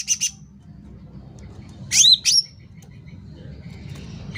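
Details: Loud, vigorous sooty-headed bulbul song meant as a lure or tutor track: a quick pair of high chirps, a pause, then two bright slurred whistles that drop in pitch, followed by quiet background.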